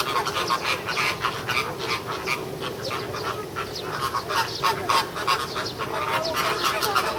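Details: American flamingos at Ueno Zoo, Japan, recorded June 2016 in an apparent quarrel; rapid, uneven bursts of nasal honks from several birds overlap, roughly three per second, forming a noisy flock chatter.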